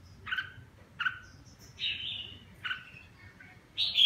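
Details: Red-whiskered bulbul with a 'má lỡ' cheek and 'mào lân' crest, singing while bathing: short slurred whistled phrases repeated about every second, some rising to higher, brighter notes, over a faint low hum.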